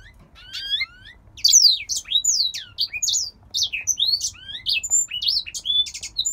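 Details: Male grey singer finch kept indoors, from a breeder in Poland, singing all day; quick tumbling phrases of high whistled slurs, rising and falling notes and trills, delivered in bursts with brief pauses.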